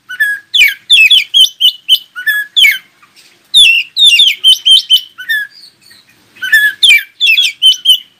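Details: Oriental magpie-robin song used to get other magpie-robins to respond and sing, given as three long, lively bursts of rapid whistled and scratchy notes, repeated phrases and brief gaps between the bursts.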